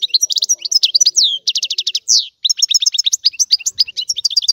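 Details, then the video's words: Rare old-style Sicilian goldfinch song, very clear: rapid liquid twitters and a run of evenly spaced ringing notes, a short buzzy slur near the middle, then more fast jumbled chirping. "Canto del Cardellino | Richiamo | miglior canzone | stimolare cardellino"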